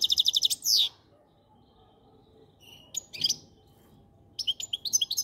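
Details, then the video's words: Goldfinch song: bursts of fast, bright twittering notes repeated in quick series, a rising buzzy slur, then a scratchy chatter and renewed tinkling trills after quiet gaps. "Best Goldfinch song"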